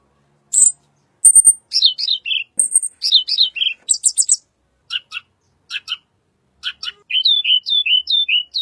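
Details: Wild blue flycatcher (tledekan), soothing lure song: a busy run of high chirps and tumbling downslurred whistles, short gaps, then evenly spaced thin notes and a final series of rapid falling whistled phrases.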